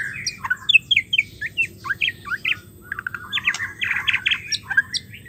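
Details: Female white-rumped shama calling to prompt stressed, silent males to resume singing. Short, quick chirps and clipped whistles come in irregular bursts, roughly two per second, with a faint low background hum.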